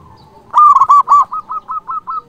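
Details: Loud zebra dove song meant to call rivals: one strong burst of three rolling, looped coos, then a fading string of six quick, evenly spaced soft coo notes.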